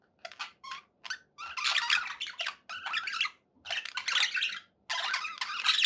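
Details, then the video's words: Happy budgies kept as pets give short clicky chirps that build into longer bursts of scratchy warbling chatter, separated by brief silences, in a small indoor room. "happy budgie sounds"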